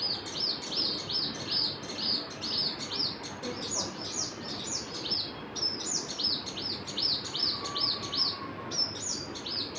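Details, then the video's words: Steady stream of high, arching bird chirps repeating roughly every third of a second, one brief faint lower whistle near the end, soft background hiss throughout. "Birds chirping"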